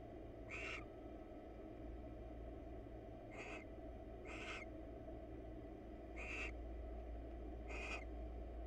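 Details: Two wild barn owls preening each other's feathers inside a monitored nest box; five short hoarse hissing screeches at irregular gaps of one to three seconds, with steady low electrical hum beneath.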